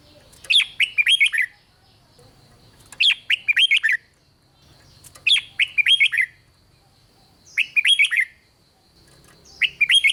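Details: Red-whiskered bulbul singing to get other bulbuls excited, five lively warbled phrases of quick bubbling notes repeated roughly every two and a half seconds, with a soft low hum.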